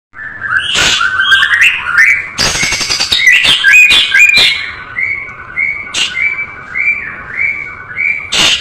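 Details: White-rumped shama, a tutor recording with a full, rich song: fast varied phrases of clear whistles and slurred notes, cut by loud harsh, buzzy bursts near the start and middle and again at the end.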